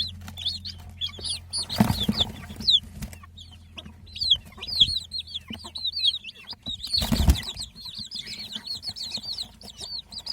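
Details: Chicks peeping in bright, rapid high notes, many birds overlapping, with two bursts of wing flapping and rustling noise.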